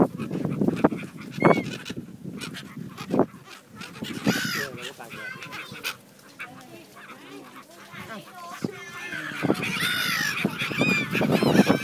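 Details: Brown-headed gulls in breeding plumage at Bang Pu, 12 April 2012, ready to return to pair up. Irregular nasal squawks come in bursts and grow busier toward the end, over broadband background noise.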